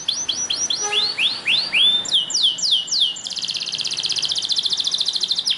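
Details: Belgian canary singing to stimulate other canaries: rising-then-falling arched whistles in quick succession, followed by a very rapid buzzing trill that runs to the end.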